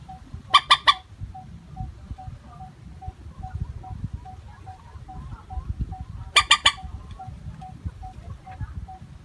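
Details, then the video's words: Plain moorhen calling used to attract birds: two loud triple bursts of harsh clucks several seconds apart, over faint evenly spaced pips and low background rumble. "Suara panggilan burung mandar batu.tanpa pariasi nada panggilan.#common moorhen"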